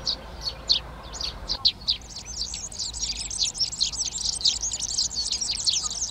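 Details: Garden in Přerov, Czech Republic, 19 March 2020: Eurasian tree sparrows claim nest boxes. Several separate loud chirps open the stretch, then a continuous, fast jumble of high twitters and chirps from several birds follows.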